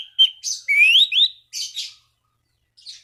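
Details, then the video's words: Orange-banded thrush calling rivals to stimulate other thrushes to sing; a quick phrase of rising whistled slurs running into harsh, chattering notes, then a soft trailing twitter. "Anis Cendana Gacor MEMANGGIL LAWAN Pancingan burung anis lain agar berkicau"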